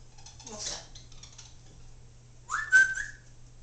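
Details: Pet Congo African grey parrot, which says phrases like I love you, hi bird and step up: a soft breathy utterance, then a clear rising whistle levelling off into a short steady tone, over a low hum.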